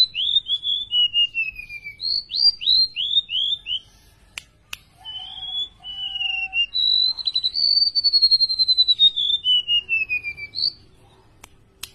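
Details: Golden-bellied gerygone, tame and singing often: clusters of high descending whistled slurs, several sharp clicks, a steady held whistle, then a long rapid trill rising and drifting downward before a final high note.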